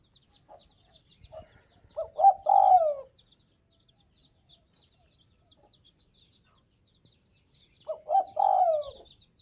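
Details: Spotted dove from Tây Bắc (Northwest) giving two cooing phrases about six seconds apart, each a quick run of low hoots ending in a longer falling coo, quieter than the faint high chirping around it.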